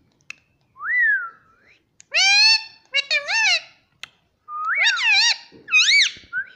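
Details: Pet ring-necked parakeet saying 'mummy' repeatedly: rising whistled slide, then loud harmonic two-syllable bursts with up-and-down inflection, repeated in clusters with short gaps.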